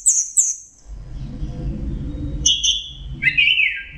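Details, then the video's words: Orange-headed thrush song with mixed phrases for songbird training: two sharp high chirps, a pause filled with low rumble, then paired notes and a downward-slurred buzzy phrase. "Masteran Punglor Teler Gacor Full Isian Kombinasi Tembakan"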